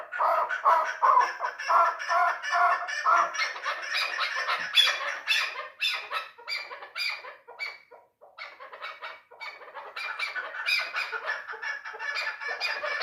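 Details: Chukar partridge, a three-year-old hunting bird, delivers a long rapid series of grating chuck notes, about two per second, loud and continuous, with a short lull midway before the rattling series resumes.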